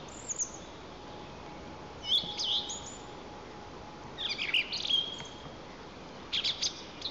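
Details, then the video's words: A Song Thrush sings from an eagle nest cam in Lower Kama National Park, Tatarstan, on 11 April 2024: short bright whistled and chirped phrases about every two seconds over a low steady hum and hiss. "The Song Thrush sings"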